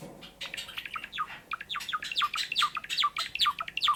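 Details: Sakura Java sparrow singing at home: scratchy, softer notes at the start give way to a steady string of crisp, bell-like falling chirps, repeated roughly every half second, growing louder.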